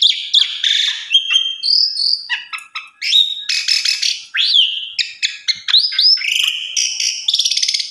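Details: Asian pied starling song with varied content, used as a master recording to train other starlings: dense medley of harsh broadband notes, rising whistles and buzzy trills, shifting quickly between sharp chirps and slurred whistled phrases.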